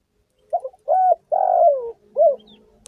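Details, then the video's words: Spotted dove calling, a lure for trapping and hunting: a short soft note, then a low coo and a long drawn, falling coo, ending with a brief final coo. "PANGGILAN SUARA BURUNG TEKUKUR||DERKUKU GACOR"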